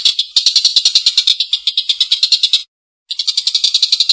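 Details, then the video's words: Rough, drawn-out laughing call from a calling collared kingfisher. Quick, raspy notes stream out, stop abruptly in a short silent gap, then carry on. "Suara tengkek buto||masteran burung gacor ngekek panjang suara kasar"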